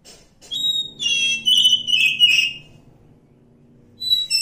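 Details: Wild Oriental magpie-robin song: clear high whistled notes sliding downward in a phrase of about two seconds, a pause, then a new phrase beginning; faint low hum beneath.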